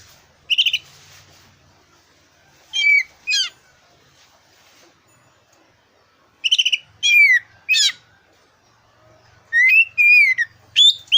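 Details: Oriental magpie-robin with a black breast, sung to provoke competition birds: short clusters of slurred whistles and rapid chattering notes repeated after gaps, with a faint low hum in the background.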